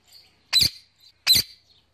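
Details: Evening calls of a male pet Indian ringneck parakeet to his mates: two sharp, harsh screeches about three quarters of a second apart, with faint high peeps between.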